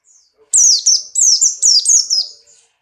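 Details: Buxtoni white-eye in strong breeding condition, jumping nimbly: a loud rapid run of five piercing high notes, each sliding sharply downward, delivered in under two seconds.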